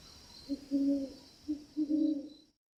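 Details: Great horned owls in Alberta, a mated pair defending territory with a synchronized duet: two deep, soft hooting phrases, each a short hoot then a longer drawn-out one, about a second apart, over a faint high hiss.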